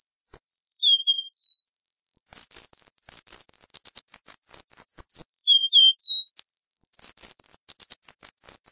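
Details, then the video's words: Cuban bullfinch song: high, thin slurred whistles dropping in pitch, followed by rapid buzzy chattering trills, with the whistled phrases and buzzy runs repeating across the passage. "Negrito Cubano Canto - Cuban Bullfinch Bird Song"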